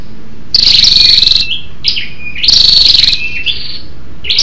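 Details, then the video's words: Lure recording of a female Scarlet-backed flowerpecker calling to excite males: two fast, buzzy, rattling trill bursts about two seconds apart, each followed by thin, high, sliding whistled notes. "SÂU ĐẦU ĐỎ MÁI RO KÍCH TRỐNG- Giọng MỒI HAY"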